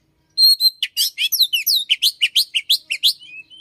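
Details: Loud, rapid Oriental magpie-robin song in the morning, said to mimic the red-headed flowerpecker: a fast tumbling series of about fifteen sharp chirps and downslurred whistles, ending in a softer trailing whistle.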